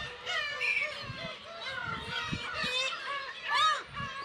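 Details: Black-tailed gulls at their breeding colony on Kabushima island, Hachinohe, Aomori, Japan, home to about 30,000 birds, with chicks present on 10 June 2020 in early summer, recorded on a GoPro HERO8: overlapping nasal, mewing calls with rising and falling harmonics.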